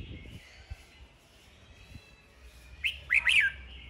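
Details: Red-whiskered bulbul in a singing duel: quiet thin warbling for most of the clip, ending with a loud cluster of sharp, swooping whistled notes, with occasional soft clicks in the background.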